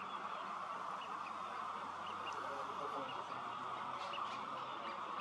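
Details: A huge communal roost of some 20,000 common starlings assembling in reeds beside the Starrevaart birding lake at sunset. A dense, even hubbub of chattering, with soft high chirps dotted through it.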